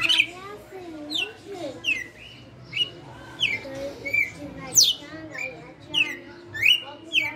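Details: Caged veteran red-cowled cardinal, kept for five years, singing in the 'açoite' style: clear whistled notes that slide sharply down, repeated roughly every half second to second, over a low steady hum and faint background voices.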